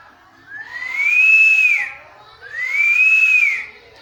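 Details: Two long drawn-out whistles from a talking parrot, each rising then levelling and dropping at the end, about two seconds apart.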